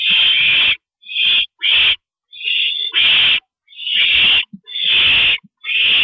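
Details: Nighttime parent visit at an owl nest, 2:40 AM, April 22 2012: rough breathy hisses of mixed length, some brief and some drawn out, come in an irregular run with short silences.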